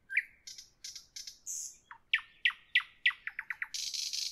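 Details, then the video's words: Evening nightingale: a long slurred whistle, short high bursts, then a loud steady series of sharp falling notes speeding into a fast run, ending in a dense high buzzing trill. "Evening nightingale, nightingale song"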